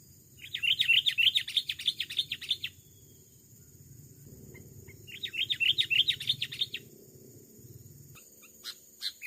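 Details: Wild, aggressive male Sooty-headed Bulbul in overgrown scrub of a rubber plantation, trapped with a decoy bird it attacked. Two bursts of rapid, bright chattering notes, each about two seconds, separated by a pause, over a low steady hum.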